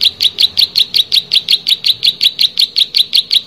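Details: Lively Plain prinia song: a rapid, regular train of high, slightly buzzy double-edged notes, roughly four to five per second, continuing steadily throughout.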